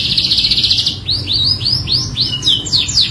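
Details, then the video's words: Canary singing in full isian style as a lure: a fast high rattle breaks into a series of arched swept whistles, about three per second, that grow quicker and steeper toward the end. A faint low hum runs underneath. "PANCINGAN KENARI FULL ISIAN | CANARY SINGING"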